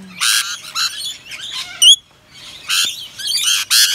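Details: Wild rainbow lorikeets in eastern Australia, wet from rain, near a balcony: harsh, raspy screeching squawks in bursts with a quick thin rising whistle between, a woman speaking softly before and after.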